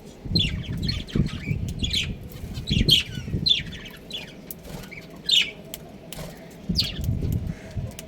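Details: Pet budgies, a breeding pair, chattering at home; quick high squeaky chirps in clusters separated by short pauses, with heavy low rumbling and bumping sounds throughout.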